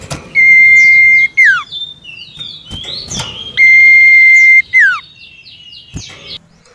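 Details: Common iora song used as lure audio to prompt silent captive birds to sing: a long, level, pure whistle about a second long ending in a falling slur, given twice, with faint chirps from other small birds.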